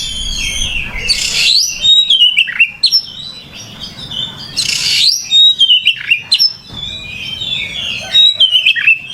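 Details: Vigorous oriental magpie-robin song, the lively 'gacor' style of a kacer: varied whistles and trills, with two harsh rasping bursts near 1.5 and 5 seconds between clear descending notes.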